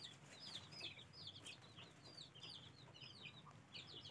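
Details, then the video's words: Ducklings peeping continuously, many thin, high, quickly rising and falling cheeps overlapping throughout, softly recorded over a faint low background hum. "Ducklings, កូនទាកាបា៉"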